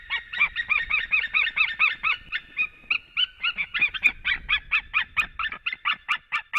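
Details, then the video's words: Male white-tailed eagle arriving back at the nest to greet the female, Latvia, March; continuous chattering yelps, quick and somewhat irregular, two voices overlapping throughout. "Male came in Happy reunion"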